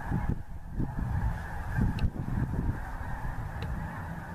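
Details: Geese over the Missouri, a steady honking chorus largely buried in heavy low rumble and wind.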